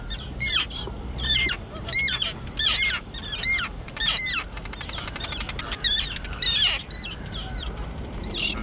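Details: Young terns at an island colony choked with dense grass, newly able to fly; series of rasping, falling calls in quick succession, then softer overlapping chatter and squeaks from other birds, over faint background rumble.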